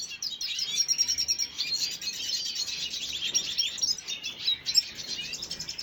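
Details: Dated 5 June 2022, this red siskin recording carries busy high twittering, rapid chirps and trilled phrases, with a louder sharp note near the fifth second.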